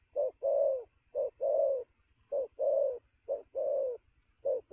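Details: Fast-cooing spotted dove, wild-caught and full of energy at twelve noon; low soft coos come in short-long couplets, the long note slightly falling, repeated about four times.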